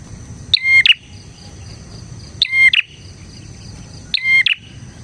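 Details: Bar-winged prinia in full song, offered as a lure for other prinias: three crisp phrases of bright ringing chirps followed by a harsh flick, spaced evenly about every 1.8 seconds, over a thin constant whine.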